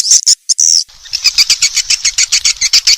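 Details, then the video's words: Swiftlet lure call for drawing in swiftlets: a few shrill, piercing chirps, one drawn out, then a steady series of rapid squeaky twittering notes repeated about five times a second. "SUARA PANGGIL BURUNG WALET ANDALAN original"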